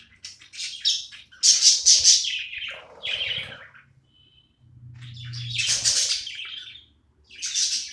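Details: Pet budgerigar during playtime, starting with quick high twitters and a clear ringing triple chirp, then a lower grating chatter, a near-silent gap, a soft hum, and fresh loud scratchy bursts toward the end.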